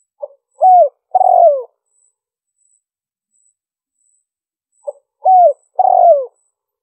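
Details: Spotted dove calling as a lure for wild birds: a brief soft note, a mellow falling coo, then a longer throaty coo. The phrase comes once and is repeated after a long quiet pause, with nothing else heard.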